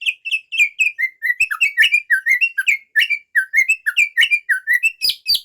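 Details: White-rumped shama pouring out learned phrases in 'bongkar isian' style: rich, rapid whistled notes, each rising or falling, strung into a dense, varied sequence with brief sharp chips.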